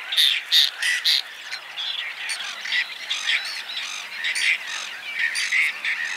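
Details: Whiskered terns in spring giving harsh, rasping calls in quick, overlapping bursts, several birds at once, a dry scratchy chorus with no other clear sounds.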